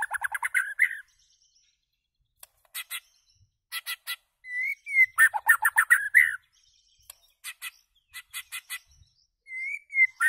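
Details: A white-rumped shama sings loudly, alternating rapid rattling chatter bursts with clear slurred whistles, phrases separated by short gaps and sharp clicks.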